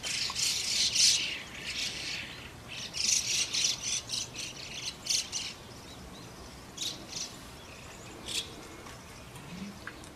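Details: Harsh, raspy squawks from white-cheeked starlings tending chicks at their nest. Loud clustered bursts early on, then fewer, spaced harsh notes later, all high and grating over a faint outdoor background.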